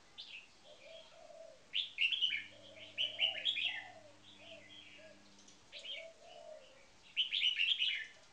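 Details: Red-whiskered bulbuls kept in cages, one a trained marathon singer, delivering repeated bursts of rich, tumbling whistled phrases every few seconds, with softer low fluted notes between and a steady electrical hum in the middle.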